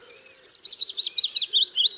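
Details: Willow warbler (Phylloscopus trochilus) singing in a wood near its nest: a quick, sweet, waterfall-like cascade of about ten clear whistled notes that tumble gradually lower, with no flourish at the end, over a faint low hum.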